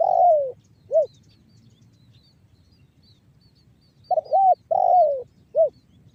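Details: Spotted dove calling in the banggo bocor lure style that draws other doves into cooing: a falling coo and short note, a long silence, then a full phrase of doubled coo, descending note and clipped ending.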